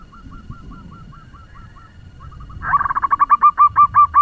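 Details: Local zebra dove used as a lure bird, singing fast to rouse other doves. Faint, soft cooing notes open, then a loud, rapid burst of about ten rolling, hooked coos near the end over low background rumble.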